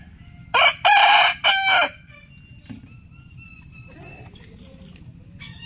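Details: Rooster crowing in the morning: one loud, hoarse crow broken into three strong bursts across about a second and a half, then fainter drawn-out crowing from farther away over a low steady background hum.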